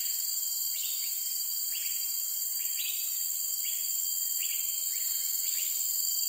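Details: Uncommon forest-edge resident of Singapore, the cream-vented bulbul, giving brief upslurred thin notes at fairly even intervals of about a second, set against a constant shrill insect chorus.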